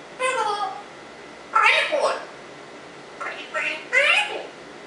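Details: Pet African Congo grey parrot talking indoors, producing several speech-like phrases with harmonic, voice-like syllables in bursts separated by short pauses, in a small quiet room.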